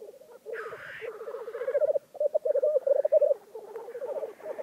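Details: Black grouse at a lek in Vinje, Telemark, Norway: continuous low bubbling, cooing phrases rolling on in bursts, with a brief hissing sneeze-like note early on.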